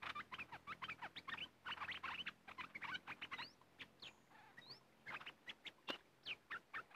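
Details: Red-whiskered bulbul song from birds described as fierce in this area, recorded during decoy luring: dense runs of short chirpy, bubbly notes with quick upward-slurred whistles. Several callers seem to overlap.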